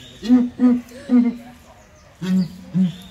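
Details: Southern ground hornbills in a small zoo cage at ARTIS boom together in deep, hollow notes, five low hoots spaced about half a second apart, the last two slightly lower in pitch.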